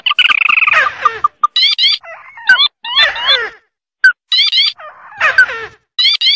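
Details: Oriental white-eye lure call used for trapping birds: a busy mix of high, thin chirps and quick rising and falling whistled notes, some trilled and some in stacked bursts, broken by short gaps.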